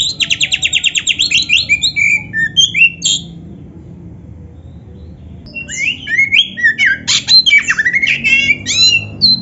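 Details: Oriental magpie-robin (kacer) in a training song, a fast repeated trill then varied whistles, a quiet gap of several seconds, then a renewed burst of chattering and whistled notes.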